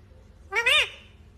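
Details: Talking parrot kept as a pet giving one drawn-out harmonic call that rises and falls in an arch, strained and nasal in tone, over a low steady background hum.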